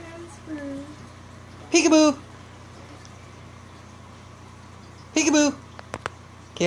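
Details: A pet cockatoo, playfully barking, laughing and teasing, gives two harsh, raspy bark-like bursts about three seconds apart, each dropping in pitch, then a couple of sharp clicks over a low room hum.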